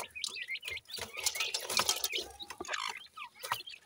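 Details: Sindhi grey francolin chicks cheeping loudly during feeding, a dense run of high, shrill, slurred peeps with crackling pecking noise, thinning out toward the end.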